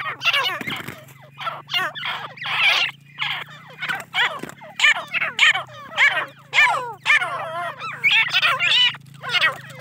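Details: Young captive grey francolins from a Deccani-female, Iranian-male cross call almost continuously in rough, scratchy squawks. The notes come in ragged series with a low mechanical hum behind.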